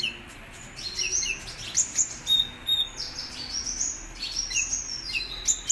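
A sunbird sings a rapid run of thin, very high chirps and twittering notes in short bursts, with a quiet background hiss.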